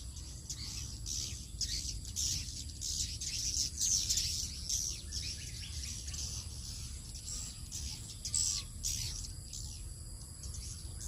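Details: Swiftlets in Indonesia heading home to roost at 17:50: bursts of high, scratchy twittering from many birds, rising and fading in waves, over a constant low background hum.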